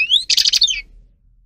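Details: Short song fragment of a Grey-crowned goldfinch (Carduelis caniceps), used for training: an upward-gliding whistled note, then a harsh buzzy cluster and a falling twitter.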